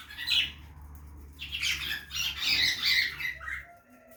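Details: Budgie parrot feeding in a backyard aviary, loud dense chatter of squawky, buzzy warbles and bright chirps in quick succession over a low rumble, trailing off into a short faint tone.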